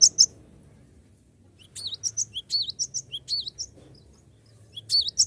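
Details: Lure recording of a cinereous tit calling rivals so they join in: a short high double chirp, a pause, then a lively series of piercing, sliding high notes and a closing pair.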